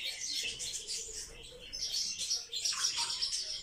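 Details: Captive social sparrows give a soft wash of high chirps over a hissy background, and a clearer falling chirp stands out toward the end.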